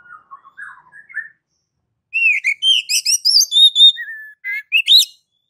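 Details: Oriental magpie-robin (kacer) master song in ngeplong style for prompting other kacer: soft low warbled notes at first, then after a pause loud clear whistles and quick chips over three seconds.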